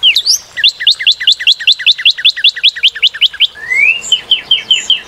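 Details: Northern cardinal delivering a long fast trill of repeated, sharply slurred whistles, roughly five per second, then a rising drawn-out whistle leading into a new series of quicker notes.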